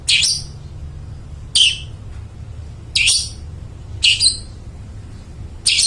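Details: Long-tailed shrike calling in a clear, carrying voice, used as a lure for mute shrikes. Five rasping high squawks are spaced unevenly over six seconds, one of them doubled.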